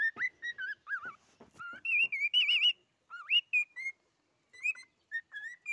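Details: Cockatiel song mixing wavering whistles, a warbled trill-like stretch and looping slurred notes, followed after a short gap by a few spaced, level whistled notes.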